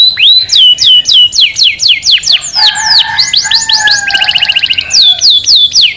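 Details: Canary singing to prompt males to sing and mate and to teach chicks: repeated descending whistled notes over a lower sustained tone, then a quick buzzy trill and more falling whistles.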